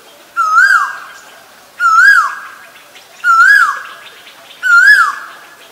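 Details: Asian koel repeating a strong, ringing whistled note four times at steady intervals of about 1.4 seconds. Each note climbs, then drops sharply and echoes briefly, with little other sound.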